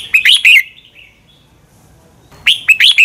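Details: Red-whiskered bulbul fighting song for training; a short run of bright warbled notes, a trailing thin whistle, silence, then another quick burst of slurred whistles.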